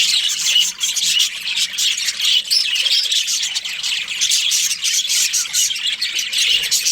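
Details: Continuous high-pitched chatter from a breeding pair of budgies, fast scratchy chirps and squawky notes running together in an unbroken stream.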